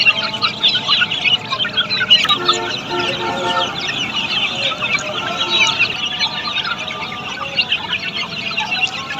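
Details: Australorp chicks on a poultry farm: a constant overlapping chorus of high thin cheeps and peeps from many chicks, continuous throughout with no pauses.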